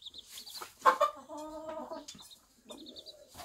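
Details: Bantam hen with her one-day-old chicks on a small backyard farm, giving a drawn-out, tonal, nasal call of about one second, preceded by sharper clucks, with faint high chick peeps and soft voices nearby.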